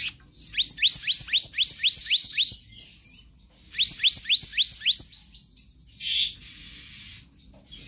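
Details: Magpie-robin singing a fast series of sharp upward-sweeping whistles, about a dozen in each burst, two bursts followed by a softer buzzy note and low background noise.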